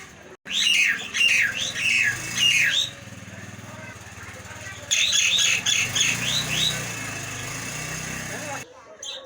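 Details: Two short runs of hoarse, downslurred squawks from a Nias hill myna, set against steady low droning background noise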